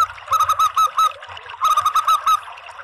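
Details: Lure call of a local zebra dove, meant to attract doves: two quick runs of clipped, resonant coos with hooked endings, five or six notes per run and a short gap between.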